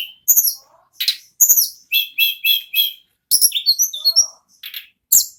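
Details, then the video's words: Ashy tailorbird singing non-stop in the rolling ngerol style: rasping bursts, then a series of four to five repeated buzzy, doubled notes, followed by chattering twitters and piercing high whistles. "Burung Tledekan / Sulingan Gunung Nagen Ngerol Non Stop"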